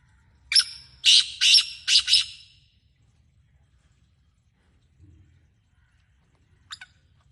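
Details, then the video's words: Black francolin in Sindh, Pakistan, giving a harsh, grating call of five rasping broadband notes in quick succession over about two seconds, then a long quiet gap and one faint brief note near the end. "Kala Teeter"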